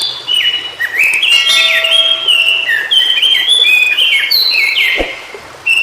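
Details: White-browed shortwing singing in its natural habitat: a fast, varied warble of sliding whistled notes that drop and rise between mid and high pitch, run together with hardly a pause, with a single dull knock near the end.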